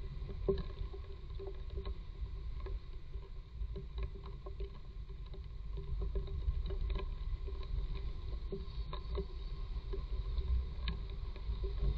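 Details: A steady low rumble and hum fills the recording, broken by faint scattered knocks and taps, with no animal voice.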